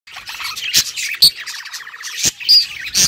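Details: Pet budgerigars singing happily: a busy, high chattering warble of squeaks and sharp clicks, with a fast run of rapid, even pulses in the middle and loud click-like bursts between phrases.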